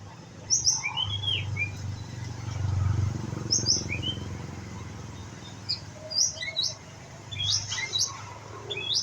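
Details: Young white-rumped shama of the pistol-tailed type learning to sing: scattered bursts of high whistled and slurred notes, some descending, separated by short pauses, over a low rumbling background.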